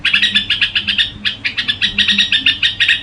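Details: Red-whiskered bulbul in gù song, giving a steady stream of quick, clipped chirps, roughly eight each second, with a short break near the middle.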